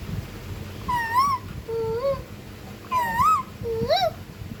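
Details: Pet ringneck parakeet talking: four rich, harmonic, speech-like syllables in two pairs, each pair a higher rise-and-fall followed by a lower, shorter upswept note, with quiet room hum between.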